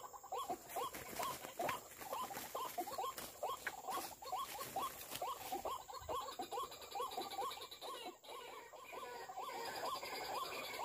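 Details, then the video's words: Lure playback of white-breasted waterhen calls used for bird trapping: rapid, somewhat uneven series of short rising notes, roughly two a second, with clicks, taps and scattered background noise. "Memikat ruak ruak menggunakan Mp3 dan pikat"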